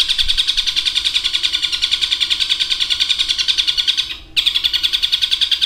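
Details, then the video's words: Long-tailed shrike (cendet), a kept songbird noted for long mimicked phrases of other species, gives a fast, high, scratchy chatter of about three notes a second, running on with one brief pause, mimicking other birds. "Suara Burung Cendet Materi Kombinasi Tengkek Buto Kunti Gereja Tarung dan Lovebird Ngekek Panjang"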